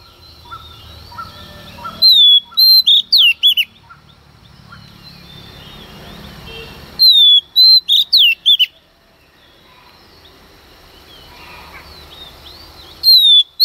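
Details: Female Oriental magpie-robin singing in the early morning to provoke males: three loud bursts, each opening with a high descending whistle and then quick sharp twisting notes, separated by quiet stretches with faint low background hum.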